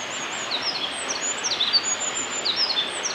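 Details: Eurasian wren singing a run of very high, thin, quick notes and short trills over the steady rush of flowing water, in Hyuga Valley, Japan, on 27 March 2022.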